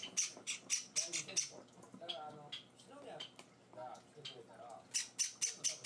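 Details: Java sparrow chicks being hand-fed indoors: rapid raspy begging bursts at the start and end, with a person speaking in between while the chicks quiet down.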